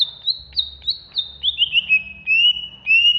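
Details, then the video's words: Banyuwangi greater green leafbird, agitated, in ngentrok song: high, quick warbled whistles in a rapid chattering run, sliding slightly lower toward the end, loud and close. "Cucak Hijau Banyuwangi Ngentrok Ngamuk"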